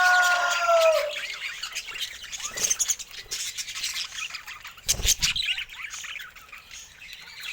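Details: A clear whistled note sliding downward opens, followed by budgerigar chatter of scratchy, high chirps and warbles with a brief knock partway through.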